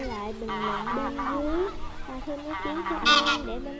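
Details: Wild goose flock-calling used to lure birds into nets: nasal, wavering honks layered in a continuous chorus, ending with one loud harsh double honk.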